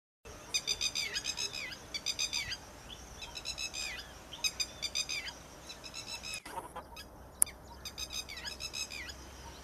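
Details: Red-wattled lapwing calling: loud, sharp, high, strident notes delivered in quick bursts of three to five, the bursts repeated steadily about every second, over a low steady background hum.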